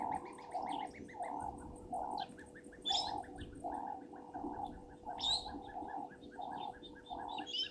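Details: Helmeted guineafowl at the Gowrie dam waterhole, Djuma Game Reserve, Sabi Sand, South Africa, 17:41 on 24 January 2023, give harsh, rhythmic cackling notes repeated steadily, with thin chirps of other birds above.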